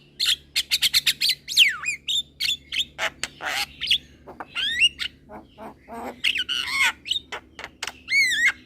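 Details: Young Javan myna singing hard with head-nodding, a tutor recording for other birds: rapid stuttering chips, descending whistled slurs and grating rasps, mixed with hooked whistles and a final wavy, warbling whistled phrase.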